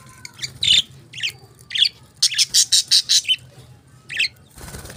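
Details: Budgerigars chirping: scattered short bright chirps, then a run of seven evenly spaced harsh, buzzy notes, a pause and a final chirp cluster, with soft low rumbling underneath.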